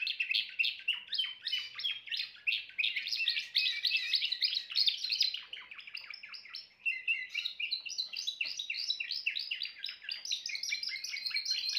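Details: Singing Timbrado canary delivering a long stream of fast chattering trills, shifting between rolling and sharper metallic phrases with a brief dip midway.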